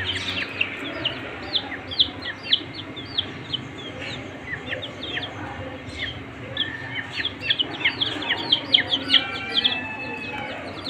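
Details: Peeping from a brood of coloured desi chicks given warmth by their keepers: bright, clipped cheeps in uneven bursts of two and three from several birds, a faint steady hum underneath.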